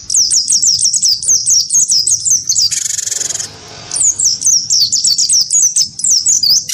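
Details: Wingko-type cinereous tit goaded into combative singing against a white-eye, giving fast strings of thin, high whistled slurs repeated several times a second, with one loud rasping buzz interrupting the series midway.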